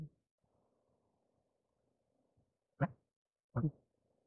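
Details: Two short, low, nasal honks from a bar-headed goose during mating, about a second apart, after a brief quiet stretch with a faint background hum.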